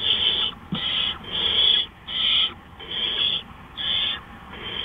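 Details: Nighttime owl, 3:15 AM, April 20, 2013: a rapid run of rough, hissing screech bursts, roughly seven in five seconds, fairly evenly spaced with short silent gaps.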